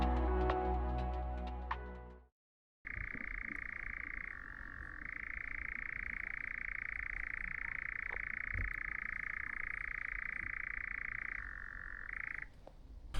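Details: A European nightjar churrs in the background on Brownsea Island, Dorset, in May: a long, unbroken mechanical trill lasting about ten seconds, shifting slightly in pitch now and then. A short burst of music comes before it.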